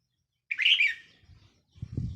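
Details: Decoy red-whiskered bulbul, 4 May 2023, giving a single quick chirpy warbled phrase, followed by low rumbling background noise.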